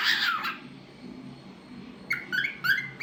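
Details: A talkative pet cockatiel gives a long harsh squawk, then after a pause a run of short whistled, rising chirps with clear harmonics.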